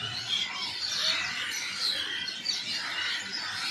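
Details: Birds chirping in a lively flock: sharp, high tweets and quick rising and falling whistles pile over one another without pause.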